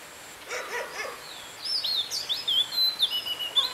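Oriental magpie-robin song: quick, varied high whistles, slurred notes and sharp chips tumbling one after another, with a few soft rustling sounds at the start.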